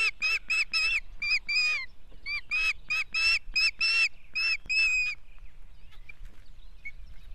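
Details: Osprey at its nest in Estonia, 2018: a rapid series of about a dozen loud, clear whistled notes, each slightly rising then falling, delivered in quick clusters for five seconds before fading into quiet background.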